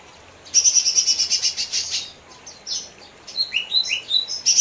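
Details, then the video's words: Lesser green leafbird singing a rapid high chattering trill of repeated pulses, followed by varied rising and falling whistled notes and another trill starting at the end; faint low hum in the background. "Burung cucak ijo mini"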